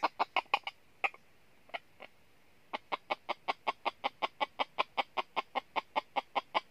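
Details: Red junglefowl decoy at a trap set to lure wild junglefowl in the north: quick sharp clucks, a few irregular at first, then a steady run of about two and a half notes a second, over a quiet background.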